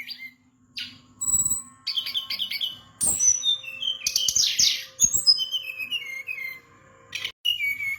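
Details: Brown-chested jungle flycatcher from Bali pouring out a fast, mimicry-rich song of clipped chirps, buzzy rattles and strings of descending whistled notes, over a faint steady hum, with brief pauses between bursts.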